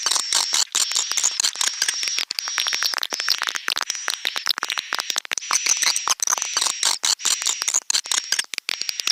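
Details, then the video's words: Swiftlet lure recording of the style called Pelangi Senja vs BJA Birahi, in stereo: dense, rapid clicking chatter with sustained high thin whistled tones running throughout. "suara burung walet |suara walet stereo"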